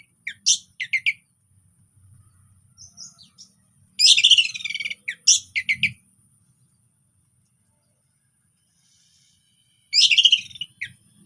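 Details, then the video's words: An orange-headed thrush sings relaxed phrases meant to prompt silent birds to sing: short bursts of dense, scratchy twittering separated by long silences, the last burst arriving after several quiet seconds. "KICAUAN SANTAI ANIS PEMANCING ANIS MACET BUNYI"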